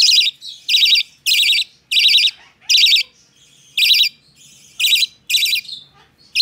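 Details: A hand-tame budgerigar chick, recorded 12 November 2020, gives harsh, raspy high calls in short bursts, about two each second, with brief quiet gaps between them.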